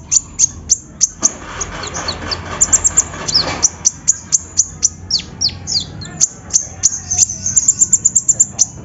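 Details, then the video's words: Sunbird singing to spur another bird into song: a lively stream of very high, sharp chirps and downward-slurred squeaks, spaced irregularly and then quickening into a rapid trill-like flurry near the end. "PANCINGAN KONIN SUSAH BUNYI!!"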